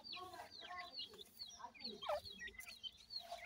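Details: Captive grey francolin chicks, said to be white, during feeding time, giving quick high cheeps and down-slurred chirps that overlap constantly, with the occasional lower squeak among them.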